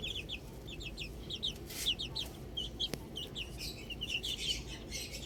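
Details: Chicks enjoying the outdoors: clusters of high, slurred peeping chirps, a sharp click midway, over a low constant background hum.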